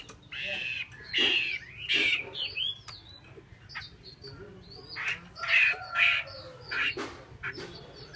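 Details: Female Chinese hwamei, a kept cage bird in Vietnam, uttering harsh buzzy squawks in short bursts separated by brief pauses, with a few sharp clicks and a faint low hum in the background.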